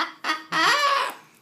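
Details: Triton cockatoo after a shower, excited and emotional, gives a short harsh note then a longer hoarse honking squawk in an indoor room.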